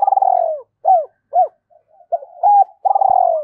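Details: Spotted dove used as a decoy to lure wild birds: a rolling pulsed descending coo, two arched hoots, soft notes, then another long pulsed coo.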